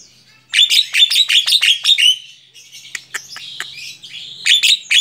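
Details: Tame Javan myna singing on the hand, a rapid burst of harsh chattering notes, then looser clicks and squawks and another quick chatter.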